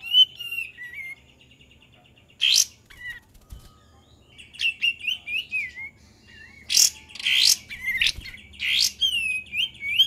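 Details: Kapas tembak song used as a lure: wavering whistled phrases and short slurred notes broken by loud sharp bursts, with faster chattering trills near the end and a low background hum.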